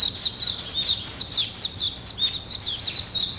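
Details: Birds greet the morning with shrill, rapid chirping, sharp tweets repeated roughly twice per second in a lively, continuous stream.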